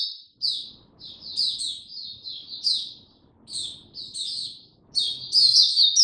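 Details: Oriental white-eye (Mata Puteh) in captivity, 2 May 2022, easing into song: repeated high chirpy phrases of quick tweeted notes, growing fuller and louder toward the end, with a soft low rumble behind.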